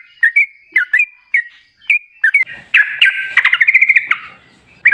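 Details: Sooty-headed bulbul song played as a lure: spaced, clipped two-note chirps, then a rapid bubbling run of warbled notes lasting about a second and a half.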